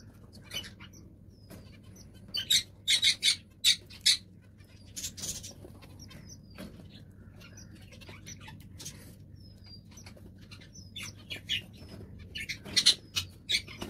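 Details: Zebra finches, recorded during the hatching of their eggs, give thin, high, rapid chirps in short clustered bursts against a quiet background.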